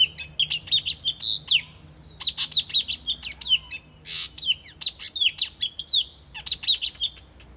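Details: Puling bird sound used to lure wild birds, from Sabah: rapid bursts of sharp, high chirps and descending whistled notes, delivered in runs of about one to two seconds separated by short pauses.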